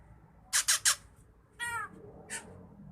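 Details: Drongo singing actively with a full repertoire of varied phrases, used as a tutor recording for songbirds: three quick harsh rasping bursts, then a nasal, ringing call with stacked overtones and a short final rasp, over faint low hum.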